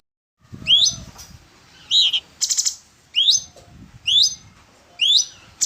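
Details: Orange-bellied leafbird song, played as training material for songbirds: clear high whistled notes sweeping upward, given singly about once a second, with a brief buzzy burst in between and faint low rustling.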